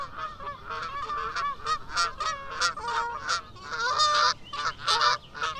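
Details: Goose honking, with several harsh nasal calls overlapping in an irregular, excited series, suggesting more than one bird.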